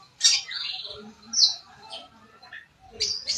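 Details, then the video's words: Long-tailed shrike, a shaggy-crested white-breasted bird from Sapudi, producing harsh, scratchy squawks and rasping chatter in uneven bursts, with brief quieter murmuring between the loud notes. "Burung cendet gondrong dada putih ori sapudi"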